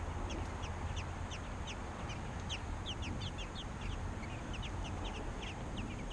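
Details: Young American robins begging during feeding: a rapid, continuous stream of short high squeaky chirps, several voices overlapping, set against constant low-pitched background noise.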